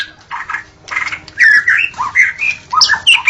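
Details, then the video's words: At dawn a white-rumped shama sings, as used to lure others of its kind: harsh, raspy notes giving way to louder clear whistles and squeaky slurs. "Suara burung murai saat Fajar"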